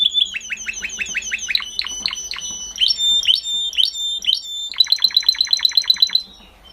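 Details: Singing canary delivering a varied, high-pitched song: a run of sharply descending whistled sweeps, some steady held tones, then a fast, evenly repeated trill at the end.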